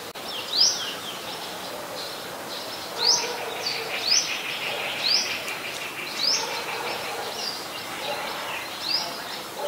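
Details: Olive-backed sunbird (Cinnyris jugularis) near a home on 23 March 2021, late afternoon; sharp, high upslurred notes given at uneven intervals, about seven in ten seconds, over a steady background hiss.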